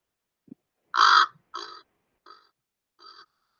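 Common Raven giving four harsh, throaty croaks: the first loud and drawn out, the next three shorter and fading. A soft knock comes just before.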